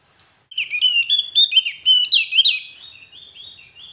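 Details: Javan grey-throated white-eye sings a rapid, jumbled, chattering warble of high rising and falling whistles, about four notes a second. It starts abruptly, peaks in the middle, then fades into softer trailing notes. Played to draw a reply from other white-eyes.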